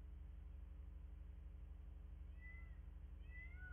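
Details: Bald eagles at their nest in Miami-Dade County, Florida, on a nest camera on 9 February 2024 at 09:34 in the morning: a few thin, high whistled chirps, each sliding slightly downward, near the end over a steady low hum.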